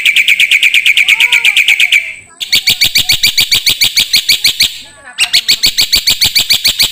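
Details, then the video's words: Black-winged myna song used as a training recording for songbirds: loud, rapid chattering notes repeated about twice a second in three long bursts, with brief pauses and a few soft slurred whistles beneath. "MASTERAN KICAU Jalak Putih"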